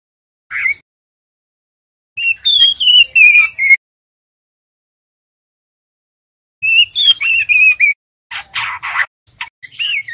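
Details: Juvenile male white-rumped shama learning the ngeriwik sound: one short chirp, then wavering high whistled phrases dotted with clicks, separated by long pauses, ending in buzzy, scratchy notes.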